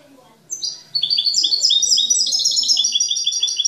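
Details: European goldfinch kept as a singing bird, called a master with clean song, pours out a fast continuous twittering phrase of high, liquid repeated notes after a short opening chirp.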